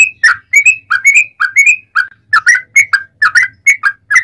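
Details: Yellow-vented bulbul song used to stir other bulbuls to sing: quick bubbly whistled notes in chattering phrases, rising and falling slurs repeated in close succession, with a faint low hum beneath.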